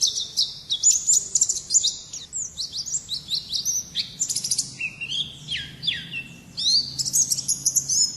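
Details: Pleci (white-eye) kept as a pet and contest bird, singing a long chattering song: rapid high twittering and squeaky chirps run almost without pause, with sweeping slurred notes and short bursts, in fast uneven phrases and with no other clear sounds.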